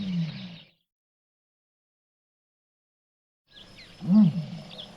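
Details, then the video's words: A male common ostrich booms across the plains: a deep rumble fades out, then after a three-second pause comes a swelling, resonant low boom over faint background hiss. "Here's the full deep booming call of a male ostrich"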